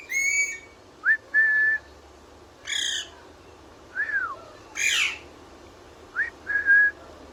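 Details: Parrot kept as a pet, whistling happily: a high harmonic note, then two-part whistles, one rising and one held steady, interspersed with rasping squawks and a falling squeal.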